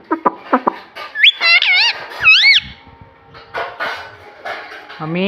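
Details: Pet rose-ringed parakeet, a talking ring-necked parrot, mimicking speech indoors: squeaky syllables followed by bright, wavering whistle-like notes repeated in short bursts, then a rising nasal phrase, with background music.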